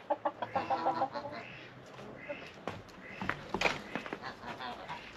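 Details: Brakel chickens in a small henhouse on a snowy winter day cluck in short, rapid bursts, several notes a second, with a man talking over them and rustling.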